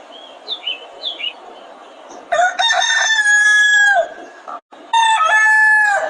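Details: Roosters on a chicken farm: a few small high chirps from other birds first, then two loud crows in quick succession, each a harmonic cock-a-doodle-doo of over a second with a long held final note.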